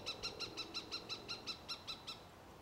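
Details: Cooper's hawk, adult or immature, giving a steady run of about thirteen clipped, nasal kek notes, roughly six per second, fading slightly at the end.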